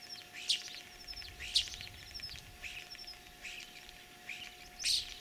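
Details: Spring mimicry by a common starling, recorded in Kalyazin district, Tver region, Russia, on 9 April 2023; sharp high chirps alternating with thin level whistles and rattly buzzes, irregularly paced, the loudest notes near start and end.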